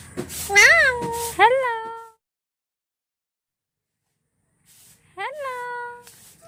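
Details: Pet talking parrot makes two quick nasal word-like calls that rise then flatten, a long silence, then one more similar rising, held call.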